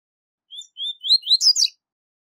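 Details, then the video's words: Double-collared seedeater sings two clear, high whistled notes, then a quick, buzzy, twittering phrase of rising and falling notes, all under two seconds. "Canto Tui Tui Zel Zel De Alto Nível - Canto Ótimo Para Encarte De Coleiros"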